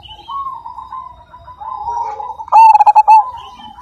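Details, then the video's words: Majapahit zebra dove, a keen singer with a big voice: a long soft rolling coo builds to one loud burst of rapid pulsed notes, then fades back to quiet cooing. "Perkutut Majapahit Gacor Dan Ganteng, Suara Besar,Super Kung"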